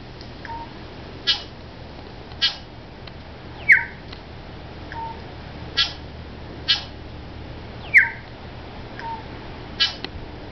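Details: Male New Zealand bellbird courting on 14 September 2011 in the Port Hills outside Christchurch, New Zealand, with the female just above him, gives sparse sharp clicks and short ringing notes every second or two, with brighter bell-like tones, over quiet hiss.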